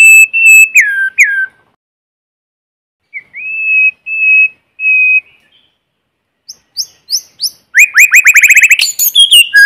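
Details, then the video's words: In forest, a white-rumped shama sings a clean lure song: falling whistled notes, four long level pure whistles spaced apart, then scattered upslurs building into a rapid fast trill. "Tiếng chim Chích chòe lửa mồi hót kích bổi không tạp âm | White-rumped Shama singing in forest"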